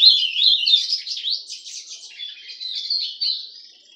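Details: Golado (White-throated Seedeater) kept as a pet, singing a dense, warbling stream of high chirps and slurs. It starts loud and gradually softens toward the end.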